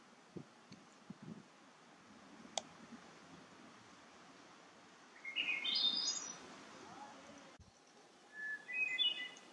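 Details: In the bog at Parc Frontenac, St-Daniel sector, a Hermit Thrush sings two separate fluty phrases a few seconds apart. Each opens with a held note and climbs in quick ringing steps. Faint clicks and rustles come earlier, over quiet natural background.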